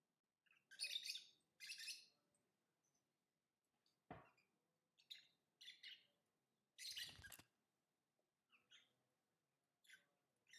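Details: Pet lovebird in a room, short buzzy chirps and chattering bursts scattered irregularly, with a couple of sharp clicks or knocks and faint low background murmur.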